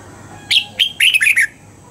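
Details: Red-whiskered bulbul morning song in the âm kép già rừng double-note wild style, sung for voice training: one short phrase of five crisp, sharply attacked whistled notes, the last ones tumbling lower, then quiet background hum.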